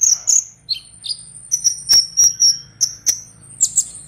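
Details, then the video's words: Konin (Purple-throated sunbird) from Serang, Banten, Indonesia, in an online singing competition: twittering high notes, then a string of sharp, high, clear whistled chips at quick, slightly uneven intervals. "LOMBA KONIN ONLINE 15"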